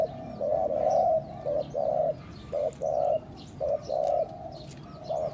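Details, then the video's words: Spotted dove coos used to excite and draw in other doves. Soft, mellow notes come in uneven clusters, a longer droning coo followed by short paired hoots, against faint high chirping from other small birds. "chim cu gáy , kích bổi siêu nhanh"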